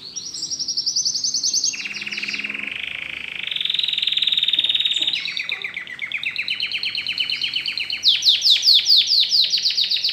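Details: Pet domestic canary being trained to sing, pouring out a long varied song: a sustained high trill, a lower rolling section, then rising and falling runs and a final burst of fast, sharp, repeated strokes.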